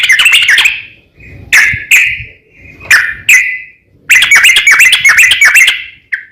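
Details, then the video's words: Provoking song of a yellow-vented bulbul, long rolling style: a quick chirp series, scattered separate chirps with short gaps, then another dense burst of twittering ending in one soft note. "suara kicau trucukan ropel panjang memanggil lawan"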